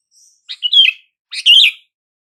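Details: Sooty-headed bulbul calling to draw a response from silent bulbuls: a faint high note, then two warbling, bubbly phrases with wavering whistled slurs.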